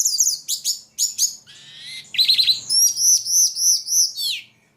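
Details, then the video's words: Ledekan singing very actively: high, bright chirps and sharp downslurred notes, then a buzzy trill and a run of five quick, evenly spaced whistled arcs, ending in a falling slur. "Burung ledekan paling gacor"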